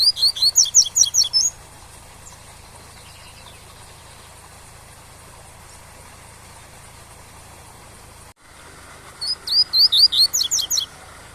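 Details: Two bursts of tui-tui song from a Double-collared seedeater, for teaching young birds: each a rapid, high chirping phrase of about ten notes, separated by a long pause filled only by steady waterfall noise.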